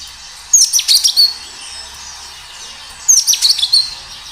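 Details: Natural recording of an energetic kinoi singing: two quick phrases of bright, high chirps and short whistles, spaced about two and a half seconds apart, with soft background hiss between them.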